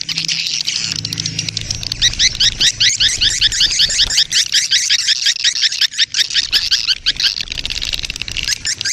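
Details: Swiftlet mating-colony lure sound: rapid overlapping buzzy chirps in a busy stream, over a low rumbling hum and background noise.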